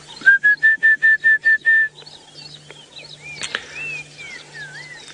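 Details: At sunrise on 8 January 2018 in Djuma Game Reserve, Sabi Sand, South Africa, during a safari drive, an Orange-breasted bush-shrike gives a quick series of seven clear, even whistles on one pitch; slurred whistles from other birds and a low engine hum follow.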